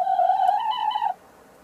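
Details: Sussex hen laying an egg, recorded 02 03 2017: a single sustained, slightly wavering moaning note lasting just over a second, then silence.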